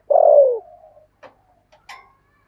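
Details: One long, deep coo from a spotted dove decoy, 'thổ' voice style, used to attract wild doves. The coo sags in pitch and trails off, followed by a few soft clicks and a brief higher squeak.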